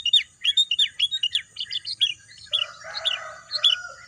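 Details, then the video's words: Birds chirping in a green natural setting: a series of sharp, high twittering notes at first, then, about midway, a lower, more tonal, buzzy phrase joining the high chirps. "bunyi kicauan burung"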